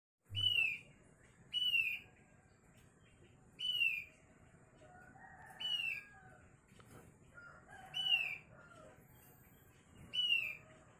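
Asian glossy starling giving sharp, high, down-slurred whistled notes, six in all, roughly one every two seconds, with softer lower chatter between them.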